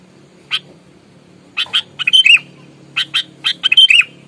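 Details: Fierce, combative sooty-headed bulbul meant to rile rival birds: an isolated harsh note, then rapid runs of scratchy bursts mixed with short whistled slurs, over a faint low hum.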